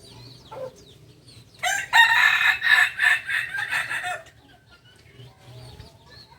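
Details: Kokok Balenggek rooster, a West Sumatran village chicken from Solok prized for stepped crowing. After quiet clucking, a loud crow lasts over two seconds, pulsing in about seven regular beats before cutting off.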